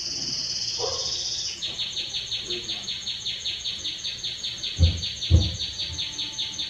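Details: A Belgian canary sings strongly: a high, steady rolled trill, then a rapid pulsing trill of about six notes a second, with two dull knocks near the end.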